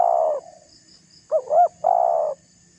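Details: Spotted dove provoking a rival: the tail of a long coo, a pause, then two short hooked notes and a sustained husky coo, with a faint low hum throughout.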